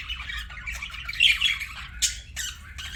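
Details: Budgerigar chirping: dense, scratchy warbling chatter with harsh squawk-like bursts and brief sharp notes, mostly high-pitched, over a faint low hum.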